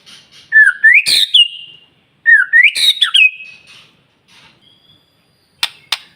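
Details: Two loud rising whistled phrases with a sharp click in each, from a white-rumped shama's morning song used to trigger rival birds into singing. Quieter faint notes and two sharp snaps follow.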